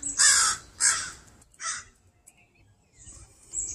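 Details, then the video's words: A pair of crows protecting their fledgling from a person working in a yard, cawing continuously: three harsh, loud caws in the first two seconds, then quieter calls further off. "Crow making a fuss to protect their fledgling"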